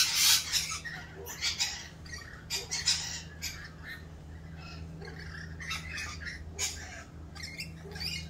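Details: Rainbow lorikeets during mating season, calling raucously around their mating dance: loud harsh shrieks in short bursts, strongest at the start, then scattered screechy notes over a steady low hum.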